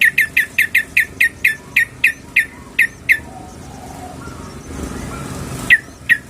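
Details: Female sooty-headed bulbul calling the male: a fast series of sharp, downslurred chips at about three per second, a quiet spell, then two more chips over low noise.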